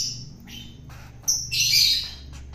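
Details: Wild-caught long-tailed shrike being hand-fed to tame it gives a brief thin whistle, then a loud, harsh, rasping squawk lasting about half a second, against a low steady hum.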